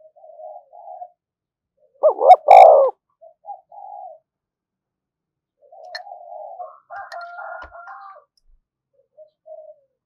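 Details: Spotted dove, used to provoke decoy birds, gives one strong clipped-then-drawn coo amid soft low murmuring notes, with a brief higher whistled phrase and a few faint clicks.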